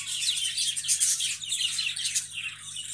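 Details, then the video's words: Budgerigars produce a dense run of high chirps and warbling chatter, steady throughout with a sharper note at the end, over a faint low hum. "বাজিগর পাখি ভাইরাল ভিডিও"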